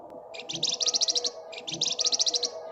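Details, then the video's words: Gacor flamboyan bird, ngebren rapat nyerecet song: two quick bursts of high, sharp, rattling notes, each about ten notes accelerating into a tight trill, over a low droning hum. "Burung Flamboyan Gacor Ngebren Rapat Nyerecet"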